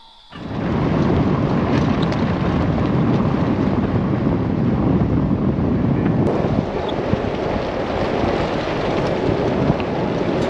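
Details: A steady, heavy low roar like wind buffeting the microphone or rumbling thunder fills the recording, with no animal calls.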